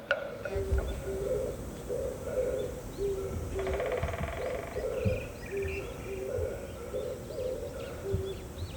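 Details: A male hill pigeon (Columba rupestris), an endangered species, courts a female at an old temple in Korea before going out to feed, giving low, soft coos in a steady run of short notes over a faint hum.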